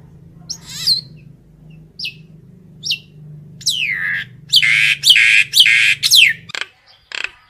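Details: Common myna calling its flock, with sharp downward-swept whistles at intervals, then loud harsh rasping squawks, over a steady low hum that stops near the end.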